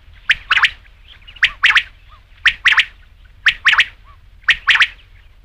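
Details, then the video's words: Rain quail giving a loud, metallic paired call, a quick double note repeated steadily about once a second, five times in a row, against a quiet background. "rain quail sound"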